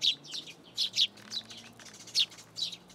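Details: Sparrows arriving at a plum tree in a Tenmangu shrine to be fed, 17 June 2022: a few sharp, high chirps, some paired, spaced by brief pauses, over a faint low hum.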